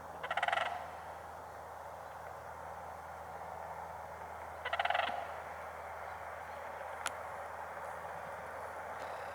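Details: Sandhill crane calling: two rolling, rattled, trumpeting calls about four seconds apart against steady background noise, with a sharp click near the end.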